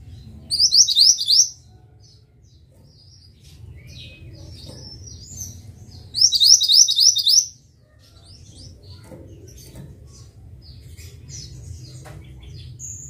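Pied Bushchat giving two high, rapid bursts of buzzy, rising chirps about five seconds apart, with softer twitters and a low steady hum behind.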